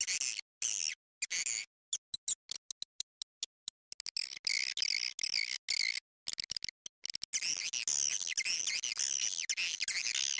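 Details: Edible-nest swiftlet lure call used to attract swiftlets, high buzzy chattering twitters in rapid choppy bursts broken by sharp silent gaps, becoming a continuous dense trill near the end.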